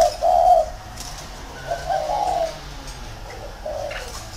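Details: Decoy spotted dove in a round cage uttering mellow, low coos in three separate phrases, the first the loudest, against a quiet background.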